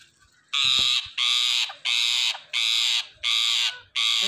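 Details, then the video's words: Indian ringneck parrot flock: six loud, harsh, grating screeches, each about half a second long, come in a steady series roughly every 0.7 seconds with short silent gaps and faint low thumps between them. "Ringneck Parrot Flock Natural Sounds"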